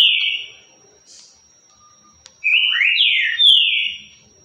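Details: Green-winged saltator singing the currucutil song type: a falling whistled note, a pause of nearly two seconds, then a connected phrase of clear whistles that rise, dip and slide down in a strong final slur.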